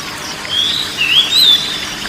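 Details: Oriental magpie-robin song for soothing a stressed bird that has stopped singing: a couple of smooth, pure whistles, the second dipping then rising, over a soft hiss.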